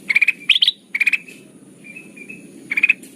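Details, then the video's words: Sooty-headed bulbul lure sound for trapping birds: rapid clusters of three to four sharp, chirpy notes, one burst sweeping upward, separated by short gaps with soft thin tones between. "Suara pikat burung kutilang emas"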